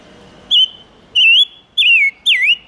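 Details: Silver-eared mesia song used as a lure to attract wild birds: four loud whistled phrases, each a sliding, wavering note, the last ones dipping and rising, spaced about half a second apart over a quiet background.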